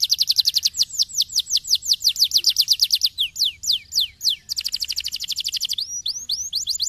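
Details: Canary song used to stimulate singing in other canaries: quick repeated falling whistles, then slower downward slurs, a fast bright trill, and a few rising hooked notes closing the phrase.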